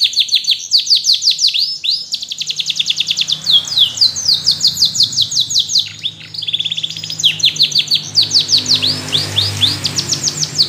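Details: Canaries singing: a continuous high, fast song made of rapid repeated trills, tour after tour, mixed with sharp slurred sweeps and a brief lower dip mid-phrase, with hardly any pause.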